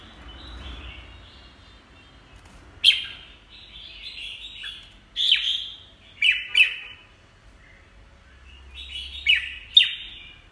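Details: Red-whiskered bulbul whose beak is peeling, uttering crisp whistled phrases that begin with sharp upward flicks and trail off in softer warbling, spaced irregularly over about ten seconds.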